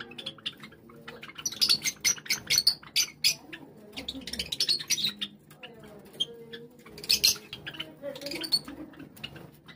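A flock of Java sparrows gives high, sharp chipping notes in quick irregular bursts that overlap. Softer low murmurs sit underneath.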